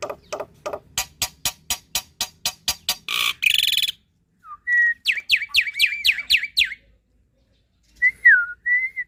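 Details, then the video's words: Javan pied starling song used to prompt young or quiet starlings; a fast series of sharp clicks about four per second, a buzzy burst, then repeated rising-falling whistles and a final slurred whistle after silence. "Jalak Putih Gacor Full Isian - Masteran Dan Pancingan Burung Jalak Muda Dan Jalak Malas Bunyi"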